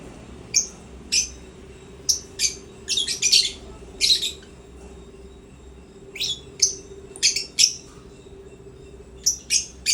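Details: African lovebirds at play in a happy mood give shrill, sharp chirps in quick bursts of two to four, repeating every second or so, over a faint steady indoor hum.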